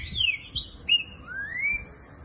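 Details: Green-winged saltator of the fast boiadeiro song style, a caged song bird, giving clear whistled notes, falling then rising slurs in quick succession over low background hum.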